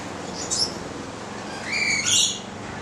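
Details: A Stella's lorikeet (Charmosyna goliathina) eating bread on 25 April 2014 gives a brief high squeak, then a longer harsh, rasping screech about a second later, over a faint steady background hiss.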